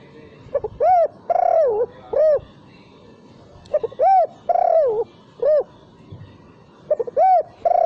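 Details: Spotted dove lure call without the final kuk note: three phrases, each a short hooked note, a long wavering coo and a clipped arched coo, repeated every few seconds in a quiet setting.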